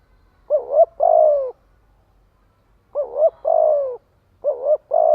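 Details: Spotted dove calling as a lure for other doves: three phrases, each opening with two quick rounded notes and ending in a longer falling coo, with silences between.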